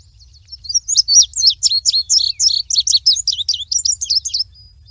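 An Indigo Bunting sings a bright, high, fast run of sharp notes, mostly in quick pairs, for about three seconds. A faint low hum sits underneath.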